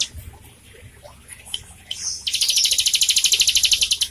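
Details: Bar-winged prinia in vigorous song, used as a lure to get young or silent captive birds singing: a few sharp high chirps, then a fast, even, high-pitched trill of rapid pulses lasting nearly two seconds.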